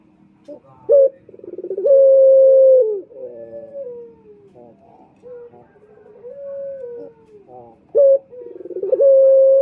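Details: Male Indonesian turtle dove (puter) cooing, as used to lure males: repeated cooing phrases, each with a quick rolling run of pulses and long sustained notes that waver and fall, over soft background hum.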